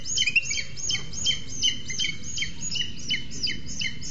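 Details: Booted eagles at a nest in Sierra de Guadarrama National Park, Spain, filmed by webcam as the male arrives with a lizard while the female incubates two eggs; rapid series of high, clear, downslurred whistled notes, about three per second.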